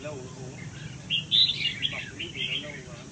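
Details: In a golden cage, a Huế-strain red-whiskered bulbul gives a loud burst of tangled chirping notes midway, then softer twitters, against low background noise.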